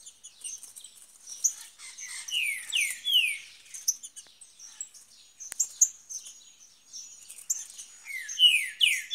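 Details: Green-winged saltator in the bush: two bursts of loud, slurred, rising whistled phrases with bright overtones, between stretches of high, scattered chirping from other small birds.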